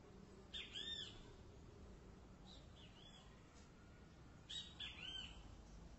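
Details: Great kiskadee singing: two loud arched, slurred phrases with clipped notes, a second apart then repeated about four seconds later, with a faint low background hum between them.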